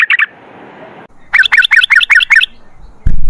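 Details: Yellow-vented bulbul (trucukan) gives a brief triple note, then a loud run of seven rapid, sharp, rising-falling notes in 'ropel' style. A heavy thud closes the passage.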